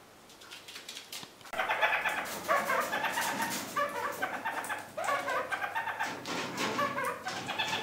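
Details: Captive kakariki parakeets feeding on fresh currant and blackberry branches from spring pruning; after a quiet first second and a half, a continuous stream of harsh, chattering, harmonic calls sets in and carries on without pause.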